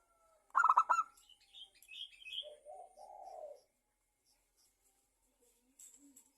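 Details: Local zebra dove kept as a singing bird, lure song meant to prompt other doves to sing: a burst of rapid trilled notes, then a few higher chirps and a soft low coo, with quiet gaps.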